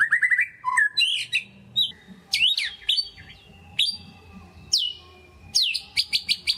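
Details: White-rumped shama lure song for stirring quiet birds: a short rising trill, then loud, varied whistles, swooping slurs and clusters of sharp high chips in lively, broken phrases.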